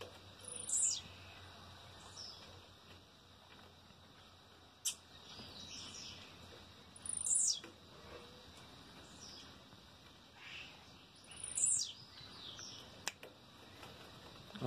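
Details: Blue-black grassquit at 6 a.m. on 25 March 2023 gives three short, high, buzzy rising notes, spaced four to six seconds apart. Faint twitters from other birds and a couple of sharp clicks sound between them.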